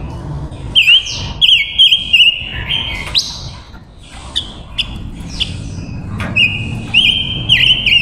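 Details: Silver-eared mesia hen kept as a decoy, singing to draw wild males: bursts of rapid, looping whistled notes at a high steady pitch, a pause of scattered chirps midway, then another warbling burst.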